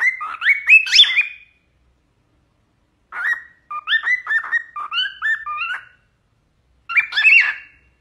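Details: Pet cockatiels kept at home giving bursts of shrill, chirpy whistled calls, each note sliding up or down, delivered in quick clusters separated by short silences, with no other clear sounds.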